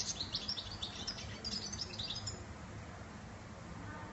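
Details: European goldfinch song: a quick, bright twittering run of high, tinkling notes and trills for about two seconds, then fading out over a low steady background hum.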